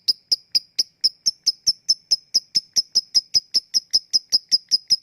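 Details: Lovebird lure for lazy singers: a steady run of the 'ngetik' ticking call, bright clipped chirps repeated about two and a half times a second, unchanging in pitch, in an otherwise quiet recording.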